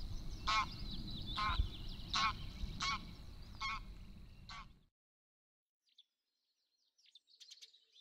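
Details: Greylag goose (Anser anser) in May 2013 with goslings at the Het Oude Loo palace, Apeldoorn: six harsh, nasal honks about once a second over low wind rumble, then quiet, with faint high peeps near the end.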